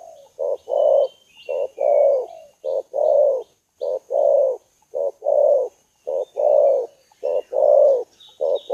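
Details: Spotted dove used as a lure bird, recorded at a breeding aviary in Ba Vì, Hanoi, Vietnam. It gives a steady run of low, husky coos, each a short note followed by a longer rolling one, repeated about once a second, with faint chirps from small birds.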